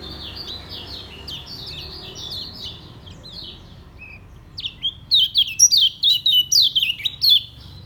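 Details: Lemon-bellied white-eye (kecial kuning) from Lombok, a kept cage bird, singing in the 'ngejos' style: rapid, high, thin chirps and slurred twitters, softer at first, then loud, dense bursts over the final three seconds.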